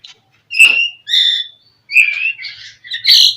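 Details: Oriental magpie-robin gacor song used to trigger a rival: clear separate whistled notes and buzzy chirps, four short phrases with pauses between, high and sharp.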